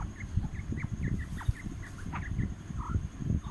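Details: Fighting quail: a quick series of short, high chirps and downward-sliding notes, some doubled, over steady low rumbling and a faint constant high whine.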